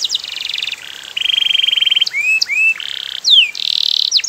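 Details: Canary in full song, played to prompt quiet canaries to reply: loud, continuous rolling trills alternating with sweeping whistled slurs, steady rattles and a bright buzzy phrase, with no pauses between sections.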